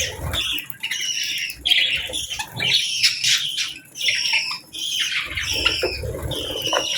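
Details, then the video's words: Budgerigars, among them a gently chirping female, during morning feeding and bath time; harsh squawky chirps and rolling chatter in quick phrases, with brief gaps and low rustling. "Real Budgies Enjoying Morning"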